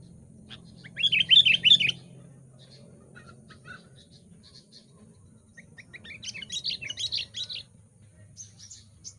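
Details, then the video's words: Sooty-headed Bulbul in Lubuklinggau singing hard to provoke wild bulbuls. A loud cluster of bubbly whistled notes near the start, a quiet stretch with sparse chirps, then a softer, busier run of chattering notes. "KUTILANG MANA YANG TAHAN KLU PANGGILAN NYA BEGINI.COCOK UNTUK MASTERAN & PANGGILAN"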